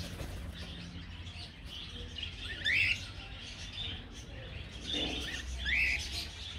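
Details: Budgerigars in an aviary colony chatter quietly, with two louder rising, scratchy warbled calls standing out about three seconds apart.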